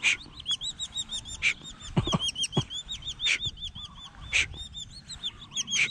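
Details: Collared falconet being trained to hunt and kill: continuous high squeaky chatter of arched notes, punctuated by louder harsh bursts about once a second and a few low knocks.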